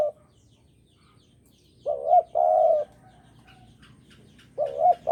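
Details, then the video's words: Spotted dove song used as a trapping lure: a soft hooked coo then a long even purring coo, with a new phrase starting near the end, over a low background hum. "Pancingan Derkuku Jawa"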